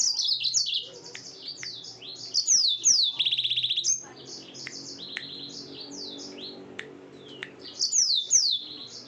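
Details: Yellow-fronted canary at night, singing in bursts: clusters of high, quick, downward-sliding whistles, one dense buzzy trill, quieter stretches with scattered clicks between phrases, and a final bright flurry of slurred notes.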